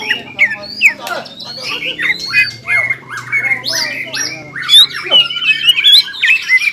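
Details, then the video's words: Greater green leafbird (cucak ijo) singing energetically in 'ngobra' and 'jamtrok' style: fast, varied stream of harsh squawks, slurred whistles and sweeping notes, nearly continuous, with a low steady hum underneath. "CUCAK IJO GACOR INI NGOBRA DAN JAMTROK SUARA GACORNYA BIKIN CUCAK IJO MANA PUN EMOSI"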